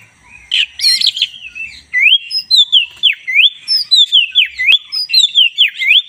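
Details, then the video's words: Black-breasted Oriental magpie-robin (kacer dada hitam) singing energetically as a tutor recording: a fast run of loud whistled swoops, each dipping and rising, repeated about twice a second after a brief buzzy, chattering opening. "joss!! 10 menit masteran kacer dada hitam GACOR"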